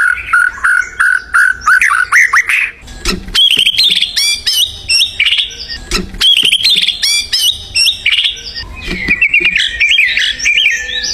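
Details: Vigorous wild white-rumped shama song: a varied, continuous stream of fluting whistles, quick rising and falling slurs and scratchy chatter, delivered in dense phrases with only short pauses, with occasional sharp clicks.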